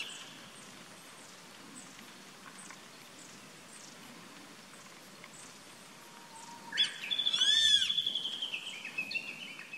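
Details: Grey-faced buzzard calling from a treetop on 14 April 2019. Faint, high ticking chirps repeat throughout, then near the end one loud whistled call: a short rising note, a long high drawn-out tone, then a downward slur.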